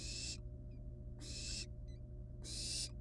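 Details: Three loud, breathy hisses from wild barn owl nestlings at the nest with a living rat. Faint, tiny high squeaks fall in the gaps between them.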